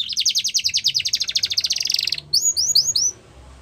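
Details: Training song of a Russian canary, a rapid pulsed trill of high notes for two seconds, then a short phrase of four or five clear upward-curving whistles before stopping.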